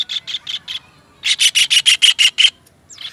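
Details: Kingfisher, recorded for training caged songbirds: four quick scratchy notes, a pause, then a loud run of eight harsh rattling notes, ending with a short rising squeak.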